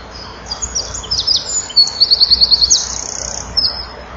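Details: Eurasian wren, male, filmed by a nest-box camera at 16:57 in June 2012, singing for nearby females; a short burst of high chips leads into a quick, even rattling trill lasting under a second.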